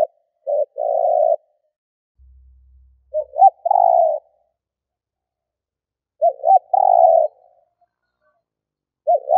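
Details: Spotted dove used to lure wild doves, giving soft low coos: two quick notes then a longer mellow coo, the phrase repeated about every three seconds.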